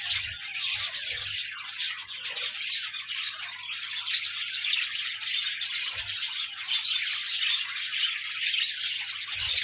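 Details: Pet parakeets chatter in a thick, even wash of warbled chirps and squeaky trills throughout, meant as company for a lonely budgie, with a few faint low knocks.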